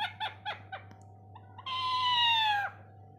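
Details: A green parrot mimicking a cat's meow; several short clipped notes come first, then one long, slowly falling, catlike wail, with a constant low hum underneath.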